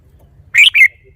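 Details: A red-whiskered bulbul in a cage sings a short two-part phrase of rich, bubbly whistles, ending in a thin, fading note.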